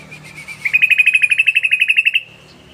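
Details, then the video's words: Sooty-headed bulbul giving a 'ropel' lure call: a fast rattling series of about eighteen bright, clipped notes on one high pitch, repeated evenly for roughly a second and a half, with a faint low hum behind. "Burung Trucukan Ngebren ❗Panggilan Trucukan❗Ropelan Trucuk"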